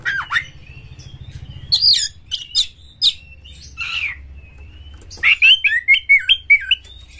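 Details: Fierce oriental magpie-robin song meant to spur other birds into singing: scratchy squawks and short whistles over a low hum, a long steady whistle mid-way, then a fast burst of harsh, twisting notes.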